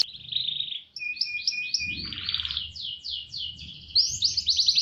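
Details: Canary singing a fast roll song, used as a training recording for other canaries; loud high trills and rapid repeated buzzy phrases, some steady and some rising, run without pause, with faint low background noise.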